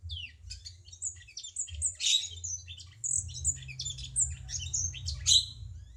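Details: Bulbul known locally as cucak cungkok, singing as a master tutor for songbirds: quick, scratchy high chirps and squeaky warbled phrases run together without break over a steady low hum.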